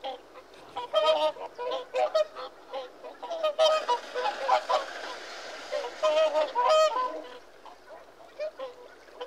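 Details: Several Whooper swans trumpeting together, a dense run of nasal, bugling honks that overlap and swell into loud bursts around the fourth and seventh seconds, then fall quieter.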